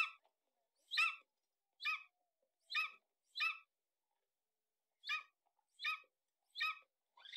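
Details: Golden eagle calling in harsh, ringing yelps with rich overtones. The yelps come in two runs of four, spaced about a second apart, with a longer pause between the runs and nothing else audible.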